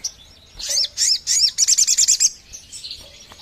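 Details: Lure call of a sogon bird: three loud, high, arched chirps, then a quick trill of about seven repeated notes, fading into soft, thin twitters.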